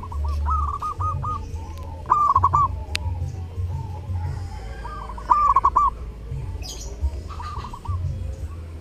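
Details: Zebra dove (perkutut) singing during Lebaran, several phrases of quick rolling coos and short repeated notes spread across the recording, with soft background noise, low hum and a brief high click.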